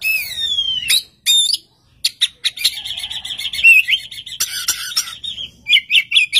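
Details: An Oriental magpie-robin singing steadily and prompting another magpie-robin to reply. It opens with a long looping whistle, then gives a dense warbling stretch of fast notes and sharp clicks.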